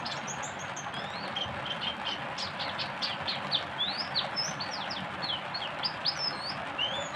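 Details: Oriental white-eye singing a tembakan, a rapid burst of thin, high whistled notes sliding up and down and tumbling quickly over a steady background rush of noise.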